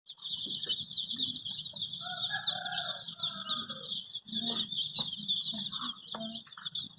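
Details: Many dyed baby chicks in red, yellow, green, pink, purple, orange and white, looking for their mother, giving a dense, continuous chorus of high shrill peeps, with a few lower clucking notes mixed in.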